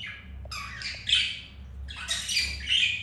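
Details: Pet budgerigars during mating, a green male mounting a female after being rejected by a white grey female; two bursts of harsh, scratchy squawking chatter with a low room hum underneath.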